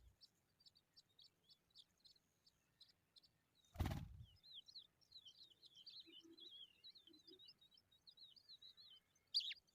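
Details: Sunlit skylark chicks: a row of short high ticks, a sudden loud broadband thump, then a run of wavering, squeaky slurred chirps ending in a louder burst.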